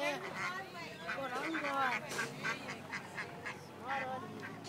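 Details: Ducklings giving rapid, overlapping quacks and bending, wavering calls in quick succession, a busy chorus with steady loudness, while people speak in the background.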